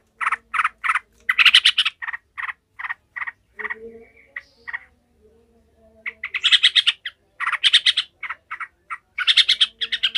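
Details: Yellow-vented bulbul in an emotional, angry chattering display, meant to train others for fighting: series of loud, evenly spaced harsh notes, a short quieter pause, then renewed fast, buzzy bursts.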